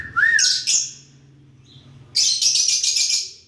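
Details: Lovebirds talking among themselves: a rising whistle, two harsh shrieks, a quiet gap, then a fast buzzy chatter of repeated chirps with a low hum beneath.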